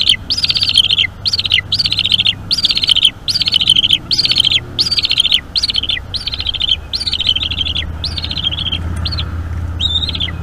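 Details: Eaglet of a bald eagle pair calling insistently during an evening feeding at a Florida nest on 5 May 2021, recorded by nest cam; steady series of piercing, wavering whistles with falling ends, about two per second, faint low hum behind.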